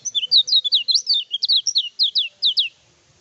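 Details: Lemon-bellied white-eye in lively, drug-free song, used as a lure to provoke rival birds and as a tutor model. A fast run of bright, high whistled notes, each rising and falling, tumbles along unbroken for about two and a half seconds.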